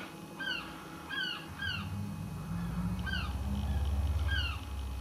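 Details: Close-up of a noisy seagull at the back of a house, making repeated downslurred, nasal calls in clusters of two or three over a steady low rumble.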